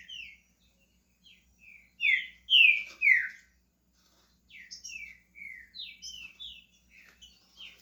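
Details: Caged green-winged saltator starting its song, giving a stream of clear whistled notes that swell into three loud falling phrases, then carry on as a softer string of rapid chirpy whistles.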